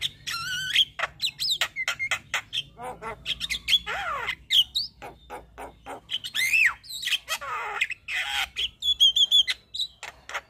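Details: Long, dense song from a white-eyed Javan myna full of fills: rapid clicking notes, harsh squawks, swooping whistles and rasping sweeps, ending in a quick trill of repeated whistled notes.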